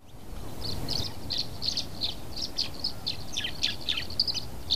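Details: Tree swallow at its nest box in spring, where an adult feeds a chick, giving a rapid run of bright, liquid chirps and twitters, several per second, over a steady low rumble of wind or distant traffic.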